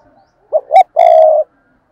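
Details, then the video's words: Decoy spotted dove calling and cooing fiercely: two short, low coo notes followed by one long, steady, hollow coo, loud and clean against silence. "Cu Gáy Mồi Thúc và Gù Ác Liệt"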